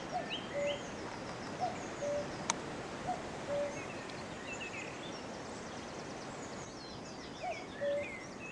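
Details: On May 3, 2018, a tree-perched cuckoo repeats its low two-note cu-coo at regular intervals. A sharp click sounds once, and other small birds twitter higher over a continuous outdoor hiss.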